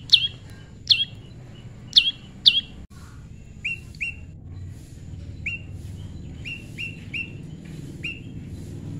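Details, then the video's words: Prinia during natural pairing, tame: four sharp downslurred chips at the start, then a softer run of short, even, flat whistled notes repeated irregularly, with steady low background noise. "prenjak lumut jodohan alam/prenjak jinak/prenjak bawah/prenjak putih"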